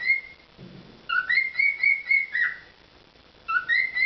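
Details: Pet cockatiel performing a whistled song indoors: clear, level whistles with stepped notes rising and dipping in a short melodic phrase, then repeated.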